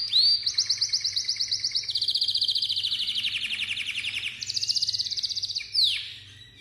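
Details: Malta canary giving a rising opening note, then a chain of rapid buzzy trills that step from higher to lower pitch and back up. The phrase closes with a quick down-slurred swoop as the song fades.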